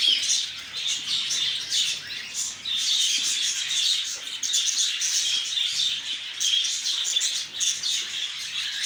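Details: Lovebirds giving a dense, unbroken stream of shrill, high chirps and squeaky twitters. Many calls overlap throughout, with no pauses and no other sounds standing out.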